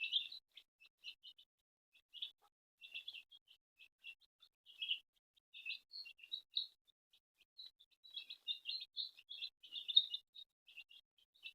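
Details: Domestic chicks gathered around a feeding mother hen at home, giving a near-continuous stream of high, thin peeps, several birds overlapping, louder near the end.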